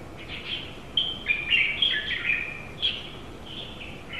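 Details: A pair of Japanese white-eyes recorded outside a house window, July 2018: a lively, continuous string of crisp, high chirps and short sweet twitters, closely spaced and irregular, loud against a quiet hiss.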